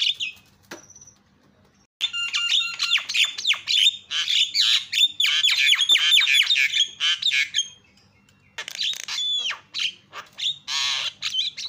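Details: Javan myna recording used as a lure to provoke other mynas into calling: harsh, chattering squawks mixed with sharp whistles in rapid bursts, with a brief quiet gap near the end.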